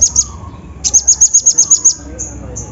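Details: Sunbird, the olive-backed kind, singing as a lure to coax silent birds. Two high chips, a pause, then a quick run of eight piercing ticking notes, followed by two drawn-out thin high tones.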